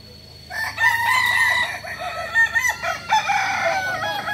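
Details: Kukuak Balenggek rooster, a village chicken breed endemic to Tigo Lurah in Solok, West Sumatra, with a stepped crow of 3 to 19 levels. A long, ringing crow wavers through repeated rising and falling syllables after a quiet start.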